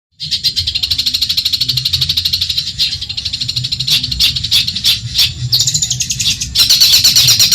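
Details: Long-tailed shrike of genuine Madura stock, a training recording for other songbirds: rapid, evenly pulsed high chattering notes about three per second, turning into a brighter, denser trill near the end, over a steady low hum.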